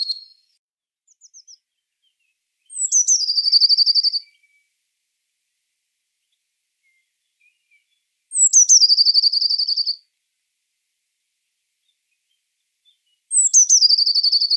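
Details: Eurasian blue tit repeating its song about every five seconds: each phrase is a high descending note sliding into a fast, dense, level trill of over a second; a few faint short notes between phrases, otherwise quiet.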